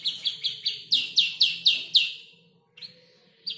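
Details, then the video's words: Five-month-old canary in the stage of assembling its song from imitated birds; a string of repeated high chirping notes grows louder and stronger, pauses briefly, then resumes with a single bright note. "Kicau burung kenari gacor noto lagu U 5 bulan"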